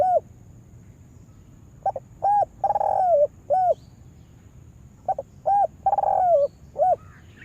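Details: Caged lure spotted dove, trained for trapping wild doves in a yard, giving mellow coos: short clipped notes leading into a drawn-out wavering note, two full phrases, with a faint constant high-pitched hum behind.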